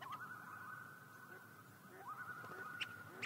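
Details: Common loon tremolo calls on Yellowstone Lake: long, eerie notes that swoop upward and hold a steady, slightly wavering pitch, twice in a few seconds; faint background hiss.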